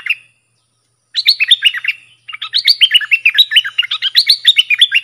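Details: Bulbul (dok taeng) training song for young birds, sab dok, boen and rik styles: a short opening note, then two long runs of rapid, bouncing, sweet notes separated by a brief pause.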